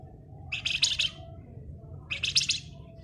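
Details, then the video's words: Flamboyan singing ngebren: two short, harsh, buzzy trilled bursts about 1.5 seconds apart over a steady background hum. "Raja Ngebren Burung Flamboyan Gacor"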